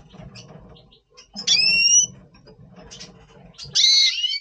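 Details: Double pastel red siskin before breeding, November 2023: two loud high notes, first a drawn-out whistle then a buzzy rasp, with soft murmuring between.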